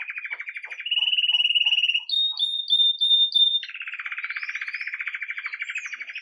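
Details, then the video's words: Belgian canary of red mosaic agate colour, lively at day's start, singing 'Campainha' song, recorded live: a pulsed low roll, a smooth steady trill, a few sharp high ringing notes, then another long pulsed roll. "Canário Belga Ágata Vermelho Mosaico Canto Campainha"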